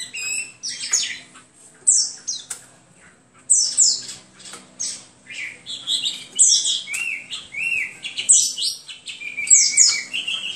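A Hwamei sings a loud, varied run of rich whistled phrases, slurred up and down and changing every second or so, with faint low hum behind.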